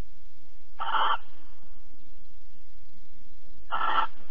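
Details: Mating and cuddling barn owls in Alphen, 22 April 2020, 21:37: two breathy, rasping screeches about three seconds apart, with a quiet hum between them.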